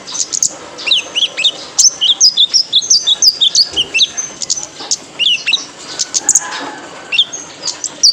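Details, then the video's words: Male purple-throated sunbird (kolibri ninja) as a training lure for cage birds: a lively, even stream of high, twittering downslurred notes, roughly four per second, later thinning to sparse chirps. "PANCINGAN KONIN JANTAN BIAR GACOR"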